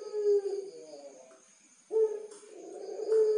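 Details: Puter pelung, a Barbary dove kept at a bird farm in Tulungagung, Indonesia. A deep, sustained coo fades out, and after a pause a loud new coo begins with a strong onset and stretches into a long mellow tone.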